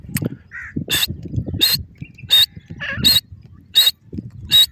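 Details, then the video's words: Grey francolin (irani teetar) calls ringing out in a series of six loud, buzzy notes, one roughly every 0.7 seconds, over a steady low rumble of background noise. "irani teetar beautiful natural awaz,natural voice of pheasant bird"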